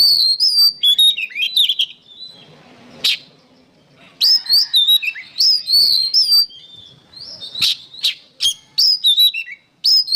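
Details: Oriental magpie-robin singing vigorously, used as training material for songbirds: bursts of loud, varied whistled phrases with sharp sweeps and trills. The bursts are separated by short pauses with a sharp click near the third second.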